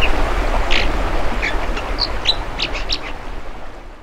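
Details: American dipper at a camera it pecks at, beside a stream: scatter of short, sharp, high notes, about a dozen in four seconds, over a loud steady roar of rushing water.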